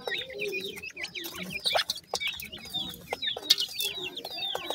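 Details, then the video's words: Young grey francolins twitter steadily, high thin notes dropping in pitch one after another, with scattered taps and rustles. "grey francolin chicks speech,sweet voice of a baby pheasant"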